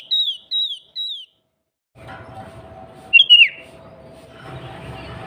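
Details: Female sooty-headed bulbul calling the male, used as a lure to provoke bulbuls into singing; three clear descending whistled notes, a pause, then a single bubbly warbled phrase over a faint steady hum.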